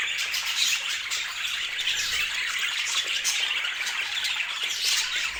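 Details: Pet budgerigars of striking colors chirping as a group, a steady, unbroken blend of thin, scratchy warbles and squawks with fine clicking ticks throughout.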